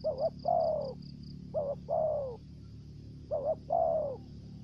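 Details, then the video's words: Lure spotted dove in thổ dế voice, plus dập and mai rừng styles. Three evenly spaced phrases, each a clipped two-part note leading into a long sliding coo, with rhythmic insect-like pulses high above and a low background hum. "Terkukur Mồi giọng thổ dế, kèm dập, giọng mai rừng"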